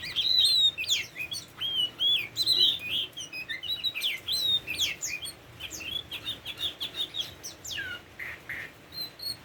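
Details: Tame Oriental magpie-robin pouring out a rapid, continuous song of bright whistled slurs and scratchy chips, roughly three notes per second, in a quiet setting.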